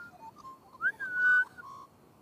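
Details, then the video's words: A singing magpie gives a short phrase of soft warbles and then a loud, clear, slightly rising fluted whistle held for about half a second, followed by a mellow trailing note. "Singing Magpies."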